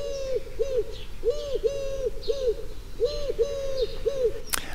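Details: A Eurasian collared dove, a bird of towns and farmyards, repeats its soft, hollow three-syllable coo, middle note stressed, at a steady, somewhat wondering pace; a sharp click at the end.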